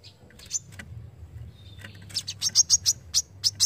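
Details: A brown-throated sunbird's sharp 'besetan' song, recorded for tutoring songbirds: a few isolated high chips, then a quickening series of loud, piercing notes, roughly four per second, against a faint low background hum.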